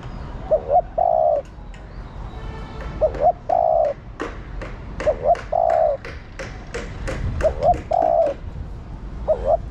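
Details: A female spotted dove calling the male repeats short low cooing phrases about every two to three seconds, each a few hoots and a steadier coo. Sharp tapping clicks run through the background.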